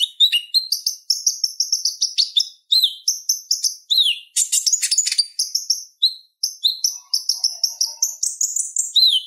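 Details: Purple-throated sunbird, known locally as konin, singing a relaxed chattering song used as a tutor for training other songbirds; rapid high thin notes, short down-slurred whistles and buzzy trills in quick bursts with brief pauses, a faint low murmur near the end.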